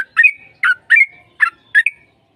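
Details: Sooty-headed bulbul lure song for drawing a reply: five bubbly notes, each ending in a short whistled tail.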